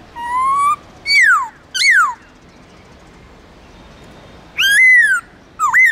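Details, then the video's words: White-cheeked laughingthrush from Vietnam's Central Highlands giving wild-style 'forest voice' song, meant to train and stir other laughingthrushes: a long rising whistle, two steeply falling slurs, a pause, then a rising-falling whistle and short looped notes. "Luyện khướu bạc má Hót Giọng Rừng kích khướu hót cực sung/khướu Tây Nguyên hót giọng rừng âm dài rõ"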